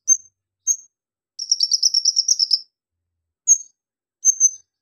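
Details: Javan magpie-robin (konin) in full song, said to include copied lovebird, cricket and golden grasshopper sounds: two thin high whistles, a long rapid buzzy trill lasting over a second, then two more clear whistles.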